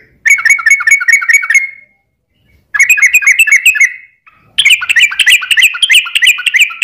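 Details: Sooty-headed bulbul song meant to provoke other bulbuls into song: three lively chattering phrases of rapid, slightly rising and falling notes with short gaps.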